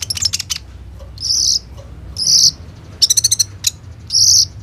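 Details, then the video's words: Van Hasselt's sunbird, kolibri ninja, singing in captivity as a lure for other sunbirds, recorded with a phone: alternating short rattles of rapid chips and longer buzzy high bursts, each roughly every second. "KOLIBRI NINJA GACOR FULL NEMBAK ISIAN ROLL TEMBAK INI, COCOK BUAT PANCINGAN KONIN BAHAN KURANG EMOSI"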